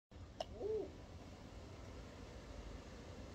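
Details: One of two crested pigeons mating on a balcony gives a single short, low, soft coo just after a sharp click, then falls quiet against a steady low background rumble.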